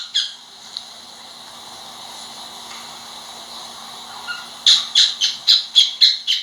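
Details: Pet cockatiel quiet at first apart from a single chirp, then breaking into a rapid series of about eight loud, high chirps.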